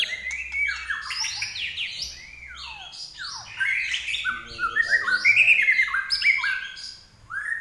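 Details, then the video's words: Common iora in vigorous song for training pet songbirds; a fast, varied stream of whistled notes, steep descending slurs and bright chattering phrases, swelling louder toward the end. "larwo Gacor"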